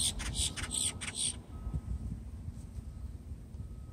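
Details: A blackbird on Amelia Island, Florida, gives a quick run of about six harsh, raspy notes in just over a second, then falls silent over a steady low rumble of wind or traffic.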